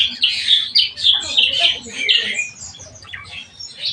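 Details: Black-winged myna, called jalak kebo, kept and tended in captivity, giving harsh scratchy chatter mixed with shrill whistles in quick bursts that fade toward the end.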